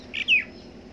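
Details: A mynah in India gives two quick high notes: a short chirp, then a louder whistle slurring downward, in otherwise quiet surroundings.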